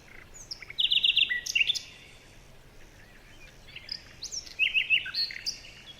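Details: Birds in a jungle: quick rapid chirp series and high whistled notes in two bursts separated by a quieter pause, over low background noise.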